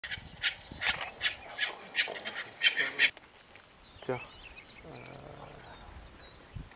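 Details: Chukar partridge (Alectoris chukar kleini) at a petrified forest, 6 May 2015, giving a rapid series of harsh, clucking chuk notes, about three per second, for three seconds; thin whistles from another bird and a man's voice follow; possibly a second singer.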